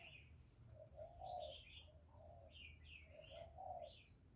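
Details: Decoy spotted dove cooing in a contest against a wild bird: low, soft coos in short phrases, with high chirps and twitters from other birds overhead.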